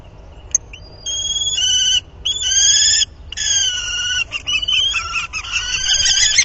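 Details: Common kestrels copulating at the nest, 30 March 2019; long harsh whining calls in several bursts, each a second or more, growing more broken and quavering toward the end.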